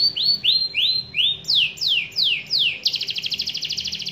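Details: Canary performing a lure song (pancingan) used to trigger canaries to sing: rising upswept whistles, then steep downward sweeps, ending in a fast, rattling, buzzy trill.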